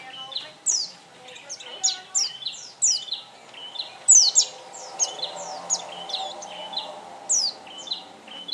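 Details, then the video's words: Oriental white-eye singing a lively series of sharp, high, downward-slurred chips and short warbles, repeated in quick clusters with brief pauses, over faint low background noise. "Kicau Burung Pleci Kacamata"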